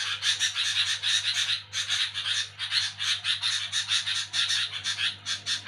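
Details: Night-time noisy chattering of a sooty-headed bulbul, harsh grating bursts repeated about twice a second in a loose, uneven rhythm, one short break near the second mark, over a low steady hum.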